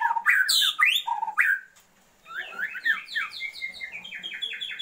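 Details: Female Oriental magpie-robin calling to a male to boost his breeding drive; loud varied whistles and squeaks, a short silence, then a rapid rising series of high repeated chirping notes.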